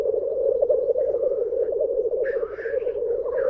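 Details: Black grouse (Lyrurus tetrix) lekking at World's End, North Wales, in March: a continuous low, dove-like bubbling rookoo pulsing steadily, with brief higher hissing or chattering notes over it.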